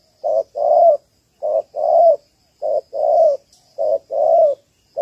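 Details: Female spotted dove calling to stimulate males, used to lure and train birds; clean low coos in paired short-then-long phrases, repeated about every 1.2 seconds in a steady rhythm.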